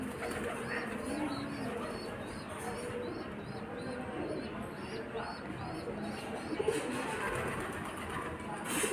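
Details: Young pigeons begging from their mother, pecking at her for food; a rapid series of thin, rising-falling squeals in quick succession, with a low murmur and rustling underneath.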